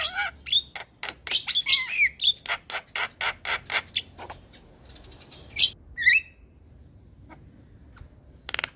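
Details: Javan myna in gacor (full, lively) song, used to stir a lazy bird into singing: a burst of rapid harsh squawks and clicks with whistled notes for about four seconds, then sparse whistles and a final rasp.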